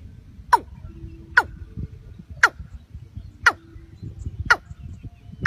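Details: Watercock calling with loud, abrupt notes that sweep sharply downward. The notes repeat about once a second over a low rumbling background.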